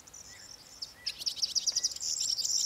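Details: Corn bunting singing: the tail of one jingling phrase, a brief pause, then a new burst of rapid ticks that blurs into a bright, metallic jangle continuing to the end.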